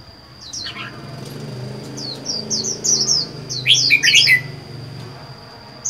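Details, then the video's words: Red-whiskered bulbul, kept alone in a cage four months after capture, gives scattered high chirps, then a quick series of sharp twittering notes, with a constant thin whine and low hum behind. "Chào mào một mình một nhà có thể căng được không?"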